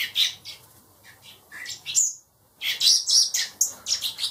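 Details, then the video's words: Four hand-raised baby blackbirds, reared indoors for later release, give rapid high shrill chirps and squeaky begging notes in dense bursts, a brief pause mid-clip, then a fresh burst of overlapping calls. "Baby Blackbirds"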